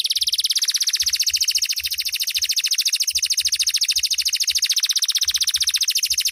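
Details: Canary of loper type singing fiercely at night: one loud, unbroken, very fast rattling trill of high notes holding steady pitch throughout.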